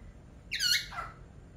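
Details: A single rough, squeaky laughingthrush call that starts high and drops quickly, with a faint hiss behind it.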